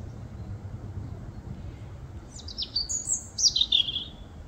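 A European robin gives a brief phrase of high, thin notes that slide down and up over under two seconds, over a faint low background rumble.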